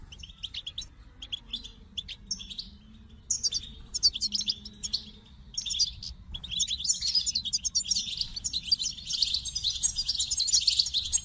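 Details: Goldfinch song starting with scattered chips and short phrases, building into a dense, continuous run of tinkling twitters and buzzy trills.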